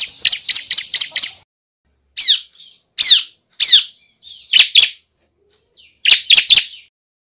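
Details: Bar-winged prinia, song used as bait for catching birds and as a tutor for songbirds: a fast chirping burst, then separate loud down-sweeping notes and paired chips with gaps between.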